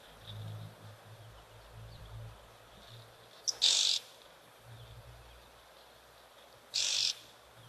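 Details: Oxpeckers at an African waterhole on 14 November 2024 give an alarm call of two harsh, hissing rasps about three seconds apart, each under half a second, over a low rumble; perhaps an antelope or big mammal is nearby.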